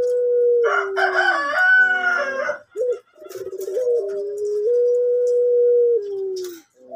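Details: Male orange pelung collared dove at a bird farm with a soft voice: a long coo with stepped pitch changes, overlapped early by a loud harsh call from another bird.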